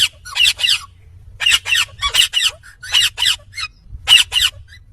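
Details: Indian ringneck parakeet talking in quick bursts of harsh, speech-like syllables, delivered in clusters of two to four with short pauses between, in a quiet room.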